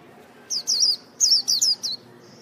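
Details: High sweet whistles from a white-eye, two short clusters of sliding, warbling notes about a second apart, over light background hiss.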